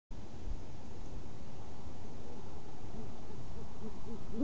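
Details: Great horned owls on a mostly moonlit 7 February night, a mated pair near nest selection; after mating the female hoots as the male leaves, another owl hoots distantly: deep, soft hoots with short arched notes toward the end over low rumble.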